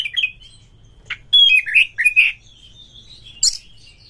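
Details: Kacer lure song, an Oriental magpie-robin voice meant to spark singing in breeding-mood birds: brief chips, a loud pure whistle dropping into rich slurred notes, soft level whistles and one harsh note.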